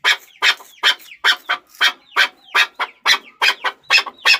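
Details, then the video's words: Chukar partridge calling rapidly, harsh chuk notes almost three per second, occasionally doubled, with soft slurred whistles between them. "Chakor Ki Awaz || Chukar Partridge Sound"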